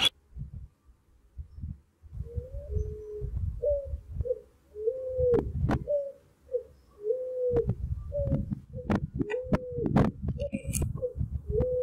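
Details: Picazuro Pigeon (asa-branca) in Brazil sings a mournful, melodious series of low cooing notes, some drawn out and others short, in repeated phrases, with low rumbling background noise.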